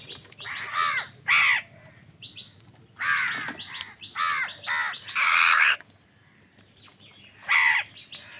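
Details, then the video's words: Several house crows cawing angrily as they fight wild birds for food, rough nasal caws in clusters with thin higher chirps from other birds between them. "Wild birds fight with crows for food | Crow bird unity anger and sund | Angry kawa ki awaaz"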